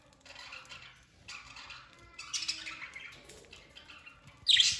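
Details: Budgerigars being given winter food chatter with bright, scratchy chirps and warbles, ending in a louder burst of calls.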